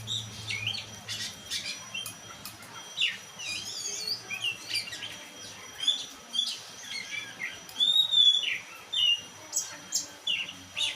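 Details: Oriental magpie-robin, a black-and-white kept bird, pours out a long medley of whistled phrases, trills and clear slurred notes. A loud falling whistle stands out near the middle, over faint low hum.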